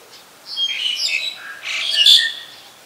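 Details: Black-collared starling recorded in Ubon Ratchathani, Thailand, on 25 December 2019: loud harsh squawking phrases with mixed whistled notes, two bursts in quick succession, high-pitched and noisy.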